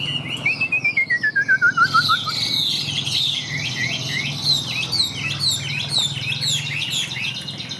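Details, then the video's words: Caged Chinese hwamei of the Tam Hoàng type, kept for sale and described as singing high: a rapid series of about fourteen clear whistled notes sliding steadily downward, then a rich, varied stream of high chirps and warbled phrases over a low steady hum. "Họa Mi Tam Hoàng - Hót Cao Cầu, Dáng Dấp Quá Đẹp - Hót Hay Treo Ra Là Bắn"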